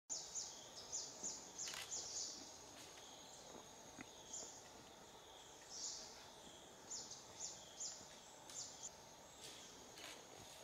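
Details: Brown-breasted flycatcher (Muscicapa muttui) in Netravali Wildlife Sanctuary, Goa, October 2017, gives thin, very high chipping notes in short bursts every second or so, over a steady high insect drone and faint hum.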